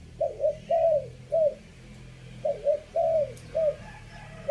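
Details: Spotted dove decoy call in the three-kuk style, fifth phrase. Two loud cooing phrases, each a quick double note, a longer rolling coo and a short closing note. Faint low hum underneath.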